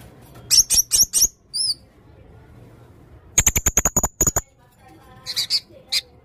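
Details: Red-necked blue-crowned hanging parrot, a caged songbird in active full-song form with varied material: bursts of very high, thin, rapid chirps and trills, a buzzy repeated series in the middle, with faint background hum.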